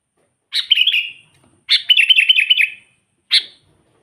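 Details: Sooty-headed bulbul song meant to provoke wild bulbuls: a quick warbled phrase, then a longer rippling run of rapid notes, and a single short chirp at the end.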